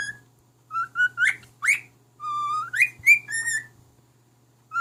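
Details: Pet male cockatiel whistling a song for his mate: short notes, upward-swooping whistles, a long low-pitched held whistle and a quick rising finish, all clear and tonal over a faint hum.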